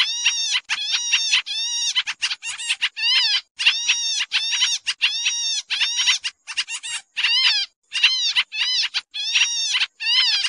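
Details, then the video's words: Raucous chattering of a pied triller played as a trapping lure: more than ten seconds of harsh, buzzy bursts with curved, warbling harmonics, broken by brief gaps. "suara pikat kapasan kemiri/jarakan/cupon putih"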